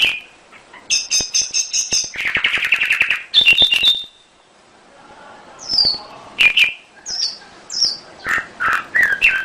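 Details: Domestic canary lure song to stir other canaries into song: mixed phrases of buzzy trills, sharp chips and whistled downslurs, broken by a short gap and ending in separate slurred notes.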